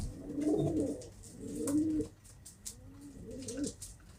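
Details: Pigeon cooing: three soft, low, rolling coos, each about a second long and slightly falling in pitch, with faint clicks and rustles behind.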